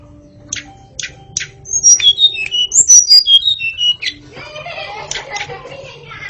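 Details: White-rumped shama song played to get young birds chattering: a few short high ticks, then a quick run of clear, slurred whistles stepping downward, fading into softer mixed chatter over a low steady hum.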